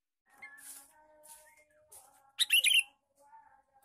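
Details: Male sooty-headed bulbul giving a lure call: one loud, bubbly burst of rapid chattering notes near the end, with faint soft whistles and tones in the background.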